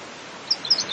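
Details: Pink robin giving a few brief, thin, high-pitched chirps in the second half of the second, short notes spaced irregularly over a faint steady background hiss.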